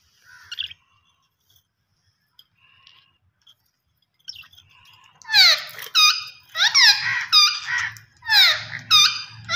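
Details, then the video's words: Near silence with a few faint squeaks breaks into loud, screechy Australian parrot calls from about the fifth second, falling squeals in quick succession, with a soft low hum behind. "Australian Parrot Voice Sounds"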